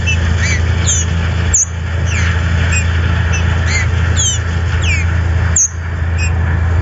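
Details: Trinca-ferro (green-winged saltator) held in captivity by a licensed breeder in Brazil; series of short, sharp downward-slurred whistled notes repeated roughly every half second, with brief gaps and a steady electrical hum underneath.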